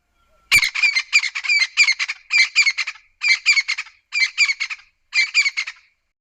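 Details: A Southern African Crested Francolin gives a harsh, grating rattle: after a single click, about six bursts of three or four scratchy notes, roughly one burst per second.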